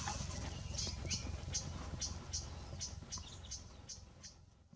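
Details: Hawaii amakihi on the Big Island, preening and foraging at 7:20 am on 20 July 2015, gives a series of high, thin chip notes, roughly three a second, over a steady low rumble of wind.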